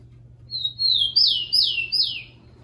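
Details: Tico-tico, the rufous-collared sparrow, sings once for training captive birds: two drawn-out high whistles sliding slightly downward, followed by three loud falling slurred notes, over a faint low hum.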